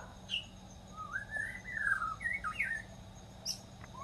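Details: Wild white-rumped shama with melodious song, a flowing phrase of rising and falling whistles packed into a couple of seconds, a few higher thin notes before and after, over low steady background hiss.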